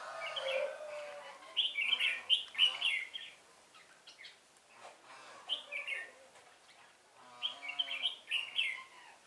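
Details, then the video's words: Red-whiskered bulbul singing as a trapping lure, 1 November 2017: loud chattering, warbled phrases in three clear bursts about two to three seconds apart, each a cluster of quick sweet notes, quiet gaps between. "Bẫy chào mào Sô lô với mồi không kém mỏ"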